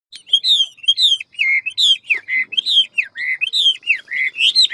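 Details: Hwamei singing in the ngũ trường style with a wild forest voice and many voices: fast, loud whistled phrases, each sliding and warbling, with rising and falling notes tumbling almost without pause.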